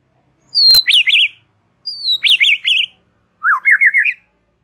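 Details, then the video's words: White-rumped shama relaxed chatter song for stimulating young and wild shamas: two phrases of a high sliding whistle into a zigzag warble, then a short buzzy rising trill; sharp clicks at phrase starts. "Ocehan SANTAI Murai Batu COCOK untuk pancing PAUD PASTOL dan Muda HUTAN"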